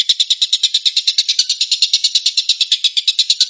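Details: Tengkek buto, or collared kingfisher, giving its 'tembakan' shooting song: fast, evenly spaced rasping notes, roughly eight each second, with no pauses through the short stretch.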